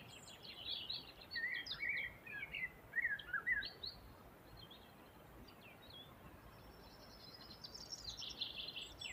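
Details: Birds singing by a river: quick, varied chirps and warbled trills in bursts during the first four seconds, then a higher, buzzy, sustained phrase near the end over steady background hiss.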